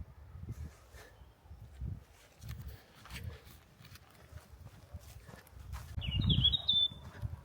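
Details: Eurasian blackcap (Sylvia atricapilla) singing loudly on the Isle of Wight Undercliff near Ventnor in late May, giving one brief, bright, fluty warbled phrase over a cool breeze's low rumble and footsteps.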